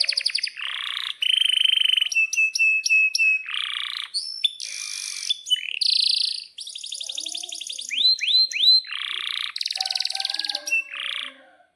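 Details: Atlantic canary in full, lively song used for tutoring young canaries. Buzzy churrs and bright whistled notes alternate with short rapid trills and sweeping chirps, changing phrase every second or two.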